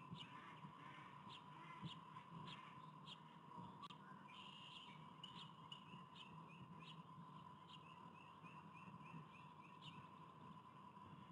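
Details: Bald eagle eaglet, hatched 10 April and now growing dark feathers, at its nest in Davenport, Iowa, on 29 April 2023 while an adult female feeds it. High, thin chirps come in a rapid repeated series over a steady electrical hum.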